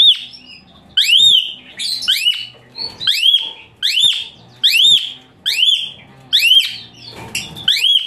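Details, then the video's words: Shrill Asian pied starling song recorded as tutoring material for other birds: strong arched whistles repeated about once per second, with softer twittering notes filling the gaps between them. "Masteran Sadis TEMBAKAN KASAR Suara Melengking Tinggi Kicau Jalak Suren Gacor"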